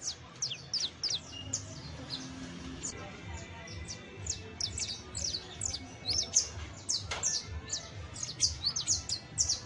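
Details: Saffron finch (canario basto criollo) singing, presented as a model to help train a pet bird: a rapid string of thin, high chirps and quick slurred notes, bunched in bursts, over a low steady hum.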